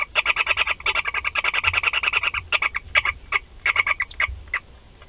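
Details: Barn owl family at Théding on 16 July 2020, four chicks receiving food: dense, rasping pulse trains repeated in quick irregular bursts, some louder notes standing out, with faint low rumble underneath.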